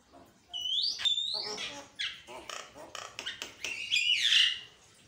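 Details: Morning song of a Javan myna, played to rouse caged mynas into replying aggressively; rising whistled slurs mixed with harsh grating chatter and clicking notes, ending in a loud, buzzy whistled flourish.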